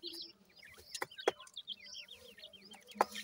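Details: High, thin chirping of francolin chicks, a stream of quick downslurred peeps overlapping one another, with a few sharp clicks and a low steady hum underneath.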